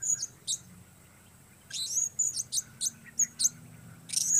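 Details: Lone blue-crowned hanging parrot calling in the weather, producing rapid strings of very high, sharp tsit-like chirps and short squeaky trills, clustered with brief pauses, over faint low background noise.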